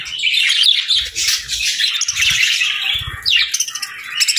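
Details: Budgies in a group chirping continuously, a bright, busy warble of rapid scratchy notes and tweets with no break, several birds overlapping, plus a few low thumps.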